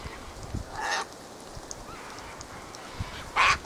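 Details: Sulphur-crested cockatoos (Cacatua galerita) squawking and fighting in a flock: a harsh screech early, then quiet, then a loud raw screech at the end, with faint wind.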